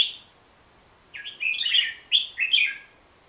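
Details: Bubbling, slurred whistled phrases from a Hook-billed bulbul, a forest-dwelling bird of Borneo, in two quick bursts after a brief opening note.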